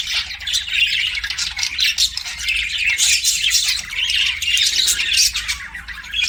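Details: Pet budgies chirping nonstop, a rough warbling chatter of squawks and chirps layered together, with a faint low hum below.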